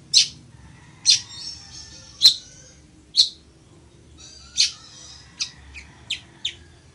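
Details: A village weaver, or chichiguao, recorded as a singing lesson for other birds, gives loud, harsh high chips at irregular intervals. Late in the sequence a quicker run of four thinner notes follows, over a low background hum.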